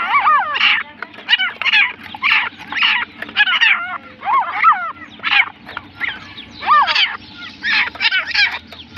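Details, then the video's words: Partridge (teetar) calling: loud, harsh, rasping notes with bent, wavering tones, repeated roughly twice a second in an uneven series, with a low hum in the background. "teetar ke awaz |teetar ke boli"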